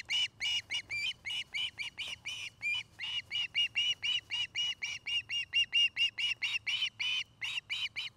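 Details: From a nest camera in Charlo, Montana, where an osprey pair is building a new nest and raising a family: a long, fast chain of short whistled chirps, about four per second, slightly rising at times, over a low steady hum.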